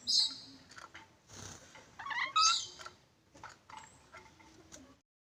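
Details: Black-capped lory producing a series of scratchy, high screechy calls and rasping bursts, irregular and uneven in loudness, with short gaps and some soft clicking in between.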